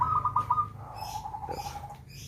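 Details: Zebra dove (perkutut), a captive local bird obtained around 2016–2017 from West Lampung: a few quick, rolling cooing notes, then one long, steady, slightly lower tone, with a faint low hum underneath.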